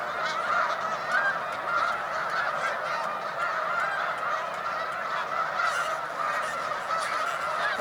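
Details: Many Snow Geese gathered at a spring migration rest stop on Cayuga Lake, New York, March 2021: an unbroken roar of high, barking honks from countless birds, even in loudness throughout.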